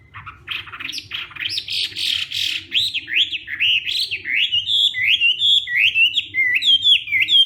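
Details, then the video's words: Hwamei in fighting-style morning song training, pouring out a long, loud run of rising and falling whistled slurs that builds in speed into a rhythmic, bouncing sequence of bright phrases. "Hoạ Mi Hót Đấu /hoạ mi hót sáng luyện giọng kich bổi sổ giọng chim hót hay mỗi ngày"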